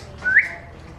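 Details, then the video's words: A single brief whistle from an African grey parrot mimicking bird sounds. It rises quickly and fades into a soft hum. "the African Grey makes Bird Sounds"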